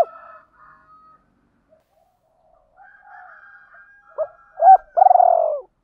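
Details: Spotted dove, given in calling, urging and cooing styles, ends with three loud, low, arched cooing notes after faint, thin, higher bird calls in the background.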